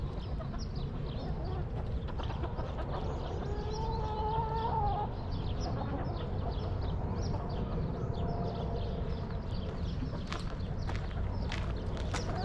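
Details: Backyard chickens settled in their coop, with hens clucking and a rooster crowing: a soft, drawn-out harmonic clucking phrase near the middle and scattered short clucks over a steady low rumble.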